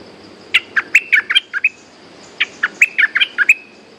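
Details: A hung decoy bulbul (merbah) sings two quick, liquid phrases of about eight bubbly, tumbling mid-pitched notes, with a short pause between them, as a resident territorial bird responds.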